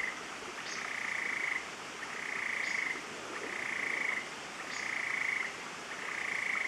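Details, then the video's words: Endemic Stiles's tapaculo singing at La Romera in Colombia's Central Andes near Medellin, in view. A steady, buzzy, evenly pitched trill lasting about a second, repeated five times at roughly one-second gaps, each trill preceded by a faint higher upslurred note. "Endemic Stiles's Tapaculo - Scytalopus stilesi - La Romera, C Andes"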